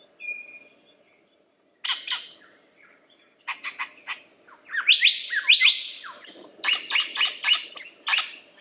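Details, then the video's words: Singing lyrebird giving dry clicking bursts and rattles, then a run of rapid sharp chirps and buzzy notes that grows louder toward the end. "Lyrebird The Best Songbird Ever!"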